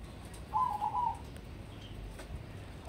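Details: Crossbred zebra dove, a contest prospect: one staccato, rolling coo phrase of quick trilled notes lasting about half a second, then the start of the next phrase at the end, over a low background hum.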